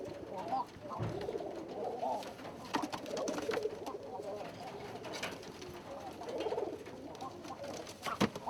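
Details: Thai Laugher pigeons in a breeding cage with two young give a low, bubbling, rolling coo that rises and falls like soft laughter; the breed is kept as good breeders and pumpers.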